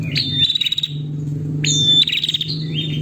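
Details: Female prinia calling the male: sharp high chirps with downslurred and level whistled notes, two bursts about 1.5 seconds apart, over a steady low hum.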